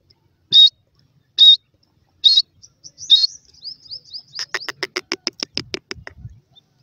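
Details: Young grey francolins at play in grass: four loud, high peeps spaced about a second apart, then softer slurred notes leading into a fast series of sharp, clicky pulses that speed up and fade.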